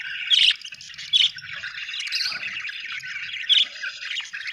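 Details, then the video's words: Budgerigar chirping: busy, buzzy warbled chatter with three loud, sharp squeaky notes standing out near the start, one second and three and a half seconds. "budgie chirping sound"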